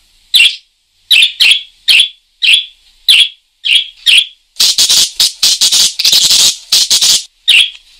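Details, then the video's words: Parakeet chirping energetically: sharp, harsh chirps repeated about twice a second, then a dense burst of rapid, raspy chatter in the second half. "Suara Kicau Burung PARKIT GACOR"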